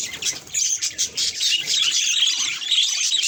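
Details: Budgerigar chattering at its own reflection in a mirror. A rapid, busy run of high, squeaky chirps and buzzy warbled notes continues throughout, with brief dips in loudness.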